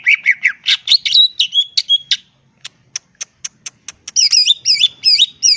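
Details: Wild greater green leafbird in full varied song, used as a lure to provoke rivals to answer: rich warbled phrases, then a string of sharp high clicks, then looping whistled figures, all clear against a quiet background.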